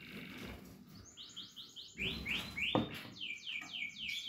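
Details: Portuguese Harlequin canary chicks calling with repeated downslurred chirps in quick series, two or three bursts separated by brief gaps, over a faint murmur of room noise.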